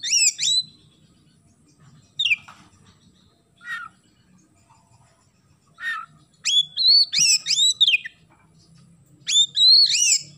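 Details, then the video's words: Oriental magpie-robin song with house sparrow imitations: scattered harsh chirps, then bursts of high, twisting whistled notes near the end over a soft background hum. "KACER GACOR ISIAN GEREJA"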